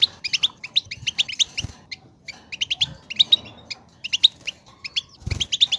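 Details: European goldfinch song for coaxing a goldfinch into song: clusters of bright chirps and twittering trills, a short quiet gap in the middle, a few low knocks.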